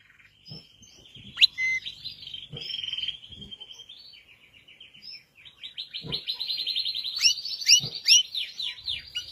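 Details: Red Belgian canary singing: rapid buzzy trill tours at high pitch, with a sweeping note near the start and a long fast rolling trill in the second half, punctuated by soft low clicks.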